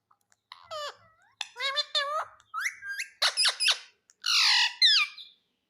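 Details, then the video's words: Pet parrot mimicking words, said to say 'mitthu', 'mummy' and 'papa': a run of short, speech-like bursts with stacked harmonic bands, bent and gliding syllables, ending in a longer raspy phrase. "Talking parrot - Bolne wala mitthu - mitthu mitthu 🦜 Mummy bolne wala tota - papa bolunga"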